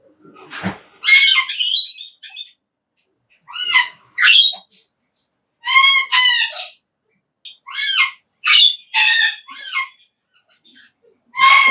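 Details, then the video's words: Major Mitchell's cockatoo feeding on high-protein parrot pellets gives loud, harsh screeching squawks in bursts of two or three, spaced by short silences, with no other sounds. "메이저 미첼 코카투의 먹방!"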